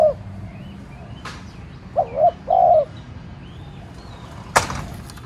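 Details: Decoy spotted dove cooing to set off other doves: one faint coo at the start, then a single wavering-and-steady coo phrase midway, with two sharp clicks or knocks and distant bird whistles.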